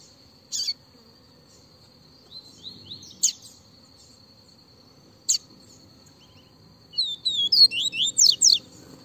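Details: Double-collared seedeater (Sporophila caerulescens), Bahian type, in very lively viviti song: a few sharp, high chirps spaced seconds apart, then a quick burst of sweeping twittered notes, over a steady high insect-like whine.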